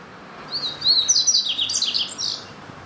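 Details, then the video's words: High, sweet twittering song of a double-collared seedeater, a fast series of slurred whistles and short trills delivered in one continuous phrase of nearly two seconds, background otherwise quiet. "CANTO DO PAPA CAPIM"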